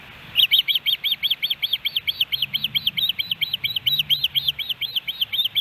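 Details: Osprey at a nest cam in Hellgate Canyon, Missoula, Montana, on July 13, 2018, a day of three fish deliveries: a rapid, even series of about twenty-eight high, arched whistled chirps, with faint low hum beneath.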